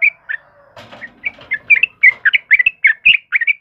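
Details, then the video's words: Yellow-vented bulbul (trucukan kebo), a lively singing bird recorded as a lure and training master for caged birds: a chattering series of short, bright chirps, picking up pace after a burst of rustling noise near the start. "SUARA TRUCUKAN KEBO GACOR || Suara Burung Trucukan Kebo Asli Gacor"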